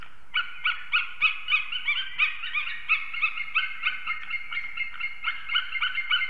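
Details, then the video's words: Morning chorus of two unringed adult eagles on their nest in Ķemeri, Latvia, 6:01 am, 8 March 2024, at arrival and mating; a long, rapid run of overlapping harmonic yelps, the birds calling together in quick rhythm. "Ķemeru Eagles~🎵 Morning Chorus, Arrival Mating & Singing"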